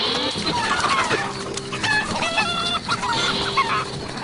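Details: Chickens give a busy run of harsh clucks and drawn-out, strained notes over about four seconds, several birds calling at once. These are aerial alarm calls after a predator swooped over, and the hens take cover under bushes.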